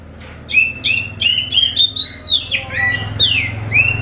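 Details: Oriental magpie-robin (kacer) song played as a lure to make other magpie-robins answer: a rapid run of loud whistled, slurred notes, rising and falling, about eight phrases in four seconds, over a low steady hum.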